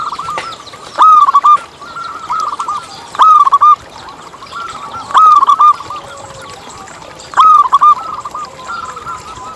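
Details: Lively local zebra dove song played as a lure for others of its kind: loud cooing phrases, each a rising note then a quick bubbling roll, repeated about every two seconds, with softer cooing and clicks between.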